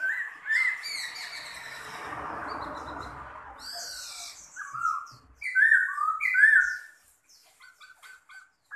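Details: Caged Chinese hwamei, large-bodied with a spread tail, gives loud fluty whistled phrases and short slurred notes after a harsh noisy stretch, then quieter clipped chips near the end.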